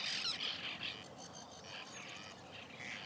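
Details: White-winged terns calling at their nesting colony in 2021: rapid, grating squawks crowd together at the start, then thinner scattered calls continue through the rest.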